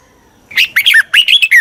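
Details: Lure call of a Red-whiskered bulbul, meant to draw wild birds in quickly: one short phrase of five or six bright, slurred, rising-and-falling whistled notes after a brief silence.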